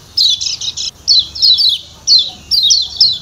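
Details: 'Ciak ciak' calling of a kecial kuning, the Lombok white-eye: bright, high, falling chirps in short clusters separated by brief pauses. A lower rough note comes in at the very end.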